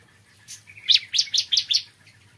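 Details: Ciblek kristal, the bar-winged prinia, in morning song: a brief series of five or six shrill, high chirps delivered quickly after a faint opening note.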